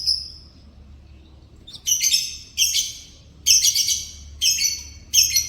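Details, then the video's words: In the morning a yellow canary gives a high whistled note, then a series of loud buzzy, rattling phrases, each under a second long, separated by short gaps. "Burung Kenari Kuning di PAGI HARI"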